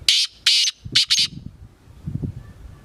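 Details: Black francolin (kala teetar) calling: four harsh, rasping, grating notes, the first two longer and spaced, then a quick closely joined pair, followed by low rumbling background noise.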